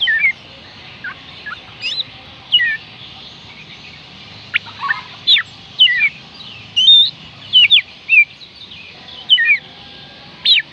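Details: Oriental magpie-robin song for coaxing reluctant birds to sing: varied whistled phrases of sharp upward and downward slurs, chirps and looping notes, delivered in quick bursts with brief gaps across the recording.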